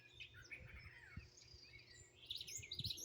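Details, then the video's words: Greenville, South Carolina birds chirping outdoors, raw phone audio: descending whistles early, then a quick run of bright high chirps at the end, with low thumps in the background. "Bird Chirping Sounds"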